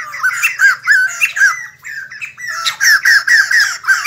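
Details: White-crested laughingthrush, kept bird, singing while dancing: harsh, chattering notes with rising-falling slurred syllables repeated rapidly, a brief pause midway, then a burst of loud cackling phrases.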